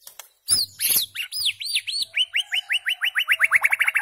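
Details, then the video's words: White-rumped shama singing, a recording meant to tutor goldfinches and hybrids in rare notes: a few sharp high chips, then a fast series of arched, ringing whistles that speed up into a rapid, even trill of about twenty notes. "تغريد عصفور الشاما صائد الذباب الهندي"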